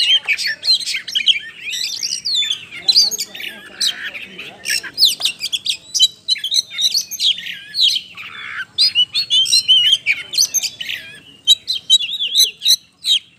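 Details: Continuous loud, varied song from an Oriental magpie-robin (kacer), meant to prompt other birds to sing: dense rasping squawks, whistles and rapid chattering notes pouring out without pause.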